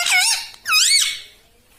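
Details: A pet parrot, shown as a ringneck, gives two quick, high, squeaky warbled phrases, each bending up and down in pitch, in a quiet indoor room.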